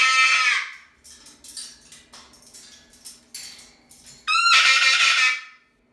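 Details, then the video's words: Pet Moluccan cockatoo at full volume: a piercing, raspy scream opens, then a run of short clipped squawks. It ends in another long, harsh, ear-splitting shriek. "How loud are parrots, can they get crazy loud? My Moluccan Cockatoo showing you how loud"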